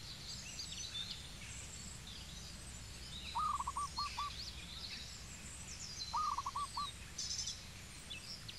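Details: Two soft, rapidly stuttered cooing phrases from a zebra dove in Cambodia, spaced about three seconds apart, set against constant high twittering from other birds and a low background rumble.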